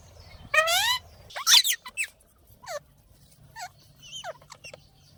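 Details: Courting ringneck parrots calling to each other: a harsh, rasping squawk that wavers up and down, followed by several shorter rising and falling squeals and clicks, with a faint low hum underneath.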